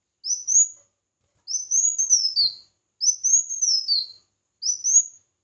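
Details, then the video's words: Red-whiskered bulbul singing competitively, used for voice training: four bright, high whistled phrases spaced over five seconds, some short and rising, others longer with a falling end. "Chào Mào Hót Đấu"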